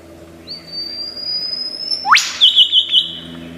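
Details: Lyrebird of Australian forests, a skilled mimic, holding a long thin slowly rising whistle that ends in a sharp upward sweep, followed by a quick high stuttering trill.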